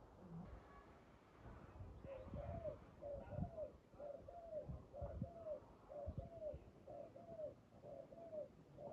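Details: Spotted dove calling during trapping with a decoy. Low, mellow coo phrases, each a short note run into a longer downslurred coo, repeat roughly once a second, with faint low background noise.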